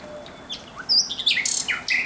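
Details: Thrush nightingale at night, 17 May 2023, delivering a short varied phrase: thin rising whistles followed by loud harsh buzzy notes and a quick stutter of clicks.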